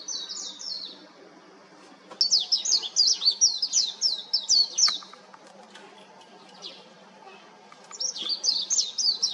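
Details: Warbling white-eye on an overhead electric wire, delivering a thin, high, rapid warbling song in two to three bursts separated by short pauses. Each phrase is made of quick descending slurred notes. Quiet surroundings with faint clicks.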